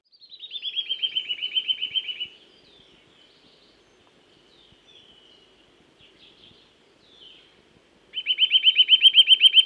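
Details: Eurasian nuthatch in woodland giving two bursts of rapid repeated whistled notes, roughly four per second, separated by a pause of about six seconds filled with faint thin calls.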